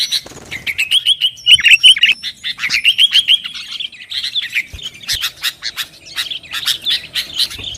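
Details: Lively sooty-headed bulbul song meant to provoke rivals into singing: a fast run of twittering, slightly warbled notes, loudest in the first half, then looser sharp chips toward the end.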